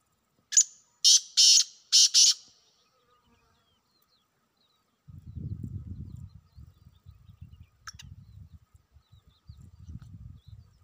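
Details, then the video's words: Wild black francolin giving a rapid series of four loud, rasping, buzzy notes. Silence follows, then a low rumbling, crackling noise continues until the end. "جنگلی کالے تیتروں کی آوازیں"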